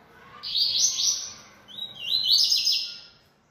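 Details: Two high buzzy song phrases from a bold, persistent yellow-bellied seedeater (coleiro-baiano). Each phrase lasts about a second, with trilled, slurred notes, and the second starts with a rising whistle. A short pause separates them.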